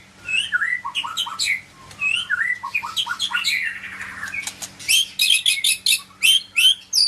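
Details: Medan white-rumped shama singing varied whistled phrases, a mix of upward slurs and sweeping notes, that builds into rapid, sharp, high-pitched bursts toward the end, with a faint steady hum beneath.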